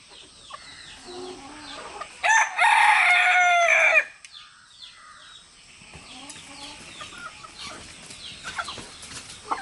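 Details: Rooster crowing, part of an exchange among three roosters and their hens; a loud, rough, harmonic crow of about two seconds stands out against a background of soft clucking and scratchy yard noise.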